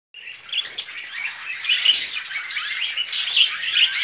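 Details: Budgerigars mating, with a dense, continuous warbling chatter of high squeaky chirps and trills, swelling in short louder bursts.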